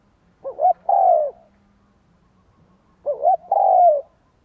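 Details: Spotted dove coo used for luring wild doves: two matching phrases roughly two and a half seconds apart, each a wobbling two-part note leading into a long, mellow, gently falling coo.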